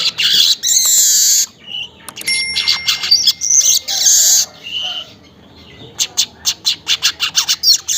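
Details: Weaver recorded in the morning around 5:40 as a lure sound: a long buzzy sizzling phrase, then varied chattering bursts with a thin ringing tone, closing with a rapid run of short ticking notes.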